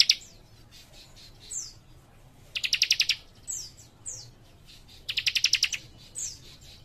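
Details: A young cikrak gives two quick pulsed trills of high chirps, interspersed with several short downslurred whistles, against a quiet background hum.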